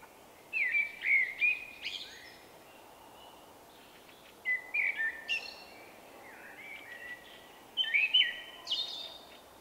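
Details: Male Common Blackbird with a unique song, heard in March 2024. Three fluted, warbling whistled phrases roughly three seconds apart, each dipping and rising before a thin high twittered tail, over quiet background hiss.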